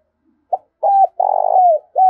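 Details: Spotted dove giving a fight-provoking coo: a brief opening hoot, a double coo, then a long purring burr that slides down into a falling note, ending as the next coo begins.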